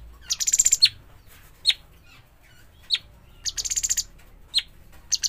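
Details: Young fledgling bulbul giving two bursts of fast, buzzy, stuttering high notes, with several sharp isolated chips scattered between them, against a faint low background rumble.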